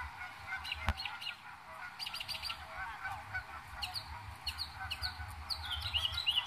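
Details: Northern mockingbird in New Jersey, May 2021, mimicking other birds and other noises: a dense, rapid jumble of varied chirps, trills and sharp notes, changing phrase after phrase, with a constant low background rumble.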